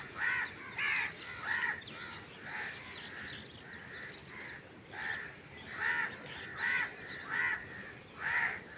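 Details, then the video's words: Crow cawing repeatedly, harsh nasal caws arriving in irregular bursts roughly once or twice a second, some doubled, with faint quieter calls between and steady outdoor background noise. "crow sounds crow video crow crying"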